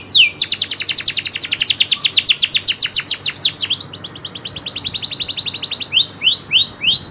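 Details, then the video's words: Local canary (kenari lokal) singing: a fast rolling trill of high downward-sweeping notes, several per second, then a lighter buzzy trill and spaced slurred whistles near the end. "kenari loper suara asli nembak ngerolll"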